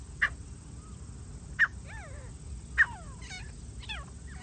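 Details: Grey francolin, recorded on a hunt, gives sharp loud clicks about every second and a quarter, each followed by smooth rising-then-falling whistled notes, over a low steady drone.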